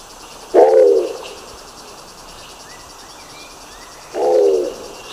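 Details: Low, harsh, grunting calls from a Nicobar pigeon in the Philippines: two short husky notes roughly three and a half seconds apart, over quiet background hiss with faint distant chirps.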